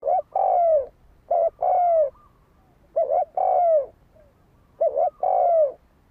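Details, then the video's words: Spotted dove kept as a decoy bird, its cooing used as a lure to provoke fighting: four phrases, each a quick double note then a long, falling coo, repeated every one and a half to two seconds. "Tiếng chim cu gáy đấu bổi dùng kích mồi"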